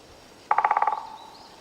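A woodpecker drums a short, fast roll of about eight hollow knocks in half a second, fading as it ends, against a quiet forest background.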